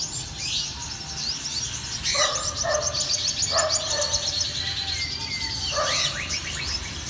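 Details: Black-throated sunbird giving fast, thin, high twittering trills in dense bursts throughout, overlapped by short lower stacked notes from other birds near the two-, three- and six-second marks, over a steady low hiss.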